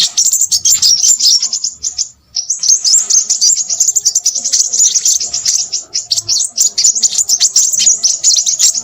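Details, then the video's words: Crimson sunbird in noisy song, a sustained high, fizzing twitter of rapid notes with a clear pause just after two seconds. "burung sepahraja ribut"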